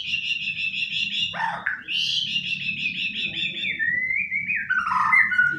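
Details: Pet white-rumped shama out on a sofa rather than in its hanging cage sings a long buzzy trilled phrase, then a bright whistle and a smooth descending whistled glide, over steady low room noise.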